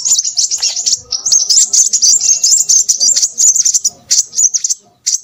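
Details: Rapid, shrill twittering from a Crimson sunbird, an Indonesian nectar feeder. Bursts of high trilled phrases are divided by short gaps, growing more broken toward the end.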